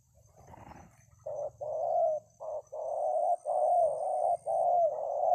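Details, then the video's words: Zebra dove cooing a song of low, hollow, purring notes in a run of about eight segments, short and long coos alternating with brief gaps, after a faint rustle at the start. "Kuk 2 3 jergot di laman ke 2."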